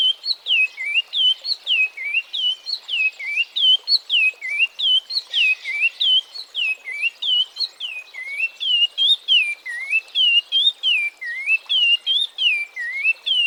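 Oriole Warbler giving a fast run of clear, looping whistled notes, each swooping down then up, repeated continuously at a lively pace with a faint background hiss.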